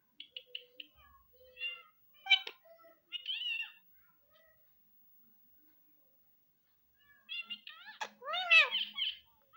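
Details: Pet Indian ringneck parrot, kept indoors, gives scattered short chirps and mimicked, speech-like squeaky phrases, then after a quiet gap a louder burst of harsh, rising and falling squawks and chatter.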